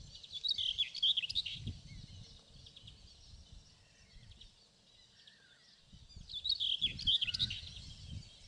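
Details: Common whitethroat, a singing male recorded on 27 May 2016 in southern Poland: two brief, hurried scratchy warbles about five seconds apart over a low background rumble.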